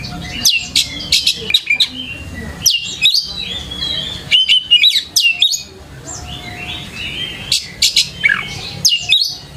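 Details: White-rumped shama song played as a lure for caged birds: rapid series of bright whistled notes and sharp chips in quick bursts, with brief pauses between phrases and a faint background hum.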